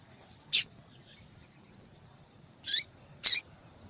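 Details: A female yellow-bellied seedeater calls to excite a male into song. She gives brief, high, piercing chip notes: one near the start, then two close together after a pause. Faint low hum runs underneath.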